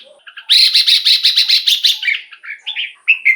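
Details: Caged Red-whiskered Bulbul song played to excite other caged bulbuls: a rapid burst of harsh, buzzy stacked notes, then short, bright, liquid whistled phrases with quick rising and falling slurs, repeated in close succession.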